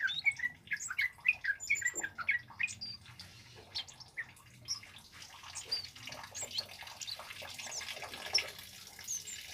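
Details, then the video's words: Male flowerpecker (kemade cabe-cabean) singing loudly and actively, used to lure wild birds and to tutor songbirds: a rapid string of thin, sharp high chips and short slurred notes over the first three seconds, then scattered fainter ticks with soft background hiss. "SUARA BURUNG KEMADE CABE CABEAN BUNGA API GACOR LANTANG COCOK BUAT PANCINGAN DAN MASTERAN"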